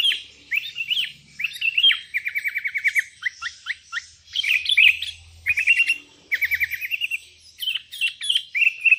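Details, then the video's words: Sooty-headed bulbuls, a vocal bird calling rivals as wild birds reply, in a busy exchange: bright chirps, then fast even trills of repeated notes, with several birds overlapping and a faint low hum underneath. "Suara burung kutilang gacor memanggil lawan"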